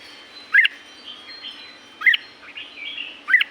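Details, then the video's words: Red-whiskered bulbul from Thailand's La-u forest, short sharp chirps repeated about every one and a half seconds, with soft distant whistles in between. "เสียงนกกรงหัวจุก จากป่าละอูแท้ๆ เสียงดี เสียงเพราะ จากธรรมชาติ"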